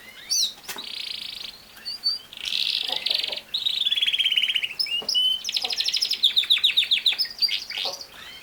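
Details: A canary sings buzzy, sustained rolls at shifting pitches, then breaks into a fast, evenly pulsed trill of bright notes repeated many times per second toward the end.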